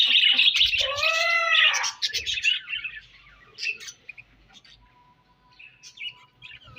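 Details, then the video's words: Morning budgerigar colony: a loud run of squawky, harmonic rising-falling calls opens, then scattered softer chirps and twitters fade down with a faint steady hum behind. "𝑩𝒖𝒅𝒈𝒊𝒆𝒔 𝑪𝒐𝒍𝒐𝒏𝒚 𝑪𝒉𝒊𝒓𝒑𝒊𝒏𝒈 𝑺𝒐𝒖𝒏𝒅𝒔 𝑰𝒏 𝑻𝒉𝒆 𝑴𝒐𝒓𝒏𝒊𝒏𝒈"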